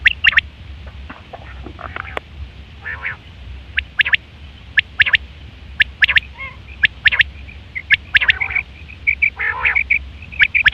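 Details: Quail calls recorded in September 2023, a sound used for hunting and mating: many quick high clipped notes, often in threes, mixed with nasal buzzy bursts and a constant low hum.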